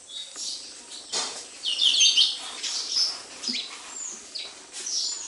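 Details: High, scratchy sparrow chirps rise and fall in irregular bursts near a house, several birds calling over one another with a soft background hiss.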